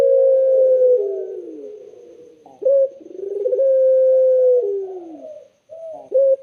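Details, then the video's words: Clear, melodious spotted dove song: long sustained mid-pitched coos with slightly falling tails, separated by rolling, pulsed notes. The phrase repeats twice. "BURUNG PUTER SUARA JERNIH DAN SYAHDU"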